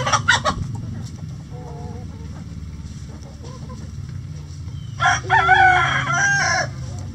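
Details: Chickens in a coop: sharp clucks open, a pair of soft two-note clucks follows, then a rooster crows loudly and hoarsely for about two seconds over a low background hum.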